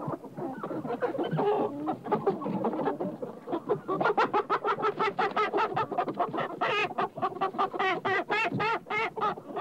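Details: Chickens clucking in a busy chorus, first low overlapping murmurs, then a rapid series of short sharp clucks and squawks repeated several times a second, some calls rising higher toward the end.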